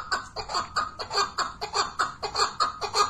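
A chukar partridge gives fast, harsh clucking notes, about three to four per second, in a steady, laugh-like chatter.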